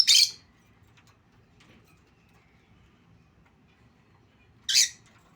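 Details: Caged lutino lovebird giving two loud, grating screeches spaced about four and a half seconds apart, with near silence between them.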